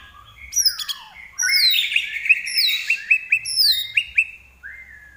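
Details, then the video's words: Lively common iora song: descending whistled slurs open into a fast run of sharp repeated notes, then a final short falling whistle, with high overtones above. "larwo Gacor"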